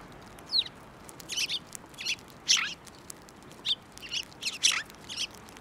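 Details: Sparrows visiting a hand for food at a Tenmangu shrine, 15 March 2024: repeated bright chirps and short harsh notes at uneven intervals, a thin downslurred note opening the sequence.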